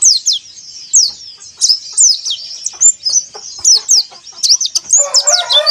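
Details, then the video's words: White-eye song played as a lure for caged white-eyes: lively, high, rapidly sweeping chirps in uneven bursts, with a lower, harsher buzzy sound entering near the end. "PANCINGAN PLECI AGAR RAJIN BUKA PARUH"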